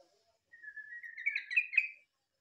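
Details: Green-leafbird-like song from a yellow-vented bulbul: a thin whistle rising gradually into a lively, tumbling warble with several accented notes before stopping abruptly.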